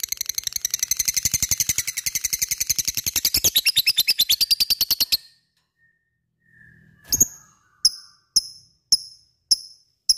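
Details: Lovebird ngekek song, a long rattling chatter meant to stimulate other lovebirds to sing; a dense, rapid high trill lasts about five seconds, then after a pause come single sharp, bright chirps spaced roughly half a second apart.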